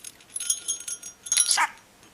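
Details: Pet budgerigar talking to his owner: thin, raspy, high-pitched voice with short chirpy syllables and a louder burst.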